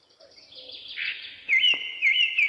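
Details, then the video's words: Wild bird chirping in a hill forest, a soft hissing rush followed by clear, slightly wavering high whistled notes repeated about twice a second. "Birds Chirping sound in the Forest, Jungle,Pahar"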